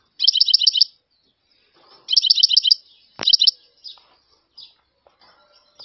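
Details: European goldfinch giving short bursts of rapid, evenly repeated high twittering notes, three runs about a second apart. One sharp click is heard, and faint softer chirps trail off afterward.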